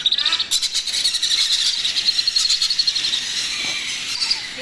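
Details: Young macaw being hand-fed, giving fast rhythmic shrill squeaks in a continuous pulsed chatter, steady and insistent throughout, with brief soft voices near the start.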